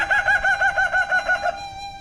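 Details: Kukuak Balenggek rooster from Padang, West Sumatra, crowing in a long, layered series of about eight rhythmic pulsing syllables over one and a half seconds, ending in a held, fading tone.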